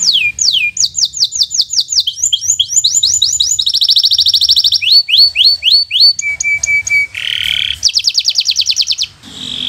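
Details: Local canary, bottle-green variety, singing for young birds to learn from: rapid changing phrases of sweeping notes, dense trills, flat whistles, a buzzy burst and a fast high trill, varied and loud.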